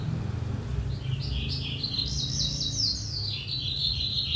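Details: Lark song in 'trotolan' style, made of varied whistled and slurred phrases that rise and fall through a middle-high range and run together into a continuous warble, over steady low background rumble.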